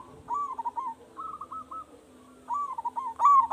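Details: Zebra dove of local stock, strong-voiced lure bird meant to prompt other doves into answering: four rolling, stuttered coo phrases, two of them softer, suggesting a second dove replying between louder phrases.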